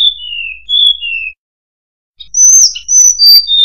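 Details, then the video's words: Murai buluh (tledekan) singing: long, pure, high whistles sliding gently downward, then a short pause and a bright burst of fast, ringing high notes. "Burung Murai Buluh | Tledekan"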